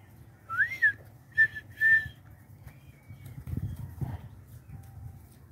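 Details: A tame red-winged tinamou, being coaxed to step onto a hand, gives three clear, fluted whistles in quick succession: the first swells up and falls, the next two are short and level. Low rustling and handling noise follow.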